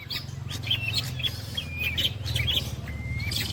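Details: Long-tailed shrike delivering mimicry shots of kuntilanak, greja, petir and walang kecek: thin whistled slurs and sharp chips, one long level whistle near the end, over a steady low mechanical hum.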